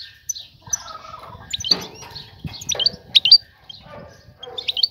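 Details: A female European goldfinch seeking a male to mate gives scattered high, liquid chirps and short twitters over faint low rustling and knocking.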